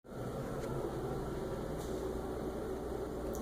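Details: Only a steady low mechanical hum fills the indoor room.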